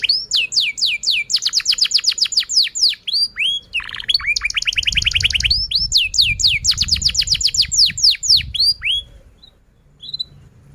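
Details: Singing canary used as a training lure for young learning birds and canaries that have stopped singing: fast repeated high downsweeps, short lower warbled notes near four seconds, more rapid trills, then quiet at the end.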